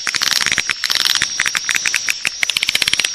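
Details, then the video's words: Swiftlet lure call meant to draw swiftlets in to roost: rapid string of short, sharp clicking chirps, very fast and fairly even, with a constant high-pitched whine running underneath. "Suara Walet Panggil Cepat Super Inap"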